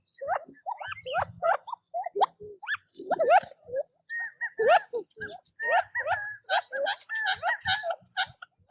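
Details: Several quail feeding in natural habitat chatter steadily: overlapping rising chirps and level whistled notes, growing busier and denser toward the end, with faint low rustling early on.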